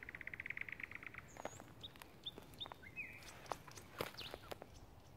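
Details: Thrush nightingale back in spring, singing: a rapid dry rattle of repeated notes near the start, then scattered short whistles, clicks and sliding notes, fairly faint over steady outdoor background noise with occasional footstep-like knocks.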